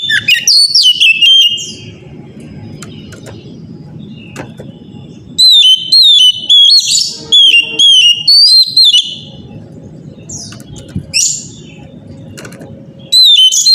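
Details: Morning song of an Oriental magpie-robin (kacer), a powerful 'gacor' lure meant to make other birds answer; clear whistled notes and fast sliding trills come in bursts separated by quiet gaps of a few seconds, with a soft low hum behind.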